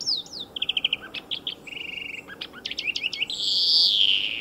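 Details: European greenfinch by a racing circuit, pouring out rattling trills and sharp chirps, then finishing with a long, drawn-out wheeze that slides gently downward, over a low background hum.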